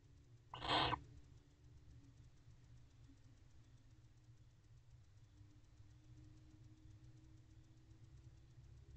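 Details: Male barn owl at an owl box at 2:28 am on 20 October 2023, on the night the pair was first seen mating on camera, gives a single short, harsh, noisy chirp. Faint low hum fills the background.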